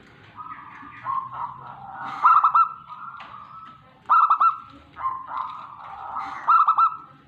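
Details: Singing local Tegal zebra dove from Indonesia. Long steady coos alternate with clipped bursts of three or four rapid notes, about three phrases over seven seconds, over a soft low hum.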